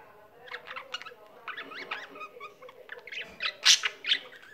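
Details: Pet budgerigar singing at home: a quieter, scattered warble of short chirps and a few wavering whistles, louder clicks and squeaks near the end, faint low hum beneath.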